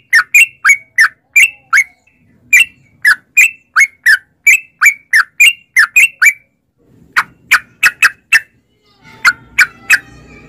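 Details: Sooty-headed bulbul singing in a lure recording intended to set off caged bulbuls. Quick chattering notes run for six seconds, followed by sharper isolated chirps and a final phrase over a low background hum.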